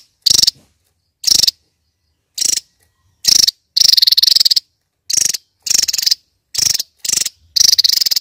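A kingfisher gives shrill, harsh bursts of rasping notes, about one every second with short gaps, some longer and rattling; nothing else is heard.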